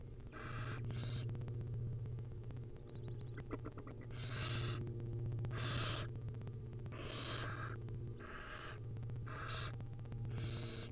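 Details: Hungry barn owl chicks at a wild nest being fed by their mother: around eight hissing screeches of varying length, a few faint clicks in between, over a prominent low hum.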